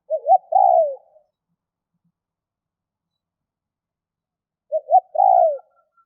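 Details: Spotted dove giving two cooing phrases about four seconds apart, each made of two short notes followed by a longer slurred coo that falls at the end; quiet background, no other sounds.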